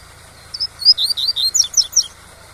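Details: Double-collared seedeater singing the tui-tui song style, a recording used to teach young captive birds: a quick run of high, sharp chirped and whistled notes, some rising and some falling, over a steady low rushing background.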